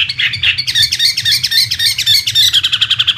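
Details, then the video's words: Chinese hwamei, an imported contest bird, delivering a bright, high song: a few warbled notes, then quick repeated sharp chirps accelerating into a rapid even trill near the end, over a faint low hum. "Suara Burung Wambi (Chinese Hwamei)"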